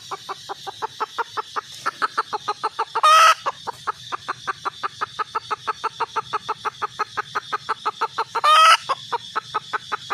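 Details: Red junglefowl hen calling in a long, fast series of short clucks, interrupted twice by a brief loud raspy squawk before the clucking resumes at the same pace.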